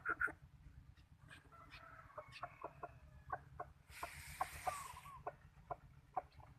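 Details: Good-voiced decoy chicken kept for catching birds, giving short, sharp clucks spaced irregularly through the recording, with a burst of broadband hiss midway and faint other bird calls behind.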